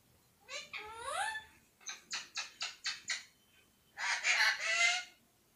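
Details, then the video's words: Parrot kept as a talking pet, saying "mithu mithu radhey radhey" and whistling: an upward-sliding whistle, then five or six rapid chattered syllables, then a longer buzzy, word-like phrase. "Talking parrot"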